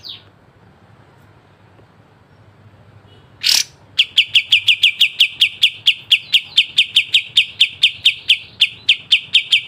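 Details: A pied triller, called kapas tembak, opens with a faint note and a harsh burst, then pours out a long even run of rapid piercing high notes in its sharp training song.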